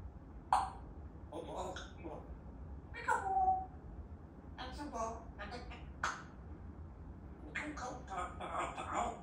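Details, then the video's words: Talking African grey parrot producing a series of speech-like bursts and syllables of varied length, one with a clear tonal whistled tail, in a quiet indoor setting. "Talking Africa grey parrot عشر دقايق #تحفيز من ببغاء رمادي افريقي يتكلم"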